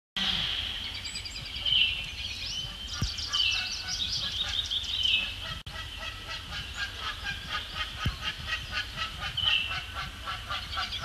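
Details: Canada geese, one wearing a neck tag, squabbling near Bubbler Island on Sapsucker Woods Pond, Ithaca, New York, 12 May 2017; harsh honks and nasal calls overlap with a busy background of higher chirps and steady noise.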